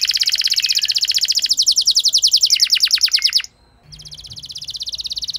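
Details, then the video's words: Canary song as a lure to make a less eager bird sing at length: a fast buzzy trill of high repeated notes, a short pause, then a renewed rapid rattling trill. "Pancingan Ampuh Bikin Gacor Kenari Kurang Emosi! Jadi Gacor Panjang"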